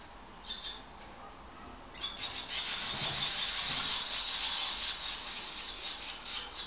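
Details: Five swallow nestlings in a back-passage nest beg during a feeding, recorded with a Canon 600D: a faint early chirp, then a sustained, loud, high-pitched rasping chorus of rapidly pulsed squeals that lasts several seconds.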